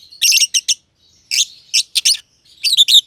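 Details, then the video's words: A pair of aviary lovebirds, green personata and green pied personata, chirping while at play. Short bursts of piercing, harsh chirps separated by brief silences. "Lovebird Chirping Sounds"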